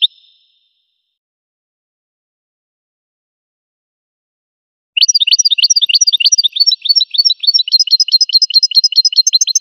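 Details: Goldfinch song: a short high note, a long silence of about five seconds, then a fast stream of thin, ringing twittered notes repeated in quick rhythm to the end.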